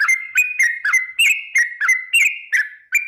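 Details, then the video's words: Sooty-headed bulbul lure song in the 'ropel' style; clear whistled notes about three per second, stepping between two pitches in a steady, bouncing rhythm. "Trucuk gacar ROPEL PANJANG pancingan trucuk agar BUNYI, jadikan burung trucuk BUNYI ROPEL"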